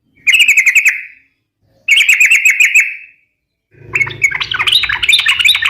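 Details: Sooty-headed bulbul in vigorous song, used as a lure and to train other birds: two bursts of rapid, bubbly chortling notes with echoing tails, then a busier jumble of mixed notes over a low background hum.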